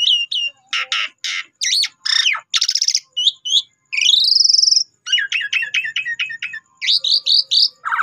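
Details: Asian pied starling (jalak suren) lure song: a rapid sequence of rattles, harsh grating bursts, a long rising whistled phrase and clipped chattering notes, delivered loud with brief pauses.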